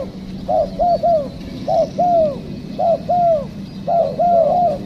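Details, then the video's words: Wild spotted dove answering during a trapping session, giving mellow, slightly rising-then-falling coos in quick pairs and triplets, four phrases within five seconds, over a steady low hum. "Mikat Tekukur,, Ajaran.. Poin ke2 dapat kuk2..."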